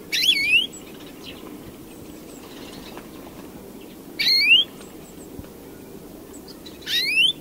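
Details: European greenfinch song with three loud nasal, upward-sweeping wheezes spaced three to four seconds apart, each starting rough and buzzy, against a quiet, hissy background.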